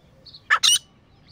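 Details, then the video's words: Grey francolin, one of a calling pair, gives two quick harsh squawky notes, loud and broadband, against a quiet background with a faint high chirp. "Beautiful Sounds of Grey Partridge Pair | تیتر جوڑے کی آواز | Grey Best Francolin Pair Voice"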